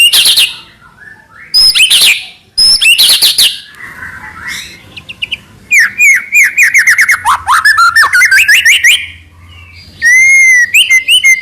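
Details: White-rumped shama, the murai batu, in varied song: sharp high bursts, a harsh buzzy note, a long accelerating run of quick rising whistles repeated several times a second, then a clear falling whistle.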